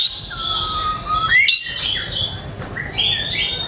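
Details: Caged white-rumped shama delivering varied song to trigger other birds into singing: a long smooth whistle rising sharply, followed by high thin sustained tones and short overlapping notes, with faint low background hum.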